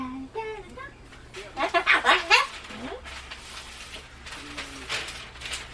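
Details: Indoor pet Solomons cockatoo, said to scream at loud sounds like public address broadcasts; a few tonal, talking-like notes give way to a quick run of rasping, harsh shrieks, then quieter chatter and human voices.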